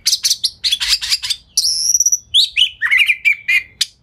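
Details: Lure song of an Oriental magpie-robin, delivered fast and dense with tail spread so that other magpie-robins respond; scratchy high bursts, a long level whistle, then stepping downward slurred notes and short chips.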